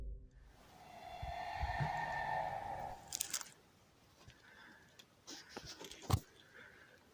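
A Barred Owl gives a single drawn-out, wavering scream lasting about two seconds, followed by crunching footsteps and rustling on a forest trail.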